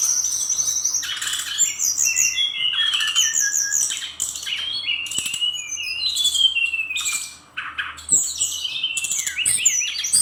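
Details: A brown-chested jungle flycatcher from Bali rattles off rapid song phrases full of learned fillers. Scratchy chatter and quick downslurred whistles come in clusters, mixed with pronounced clicks and knocks.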